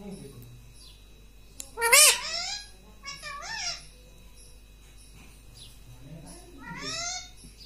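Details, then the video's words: Pet rose-ringed parakeet kept indoors, talking and saying "mummy": a few loud, harmonic, voice-like syllables with rising and falling pitch around the two-, three-to-four- and seven-second marks, over a steady low hum in a small room. "मम्मी मम्मी बोलने वाला तोता"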